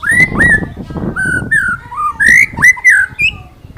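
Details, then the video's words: Murai batu (white-rumped shama) singing for bird training in ngalas nembak style: a string of clear slurred whistles, rising and falling, some quick double notes, with faint background rustle. "Masteran Burung Murai Batu Ngalas Nembak Wit Wit Cerrrr,Suara Murai Gacor 2023"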